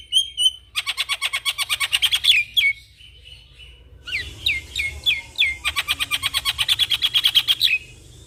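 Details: Javan myna singing vigorously while nodding its head, used as master song for training young mynas: rapid harsh rasping notes repeated about three per second, broken by short slurred whistles and a descending whistled series.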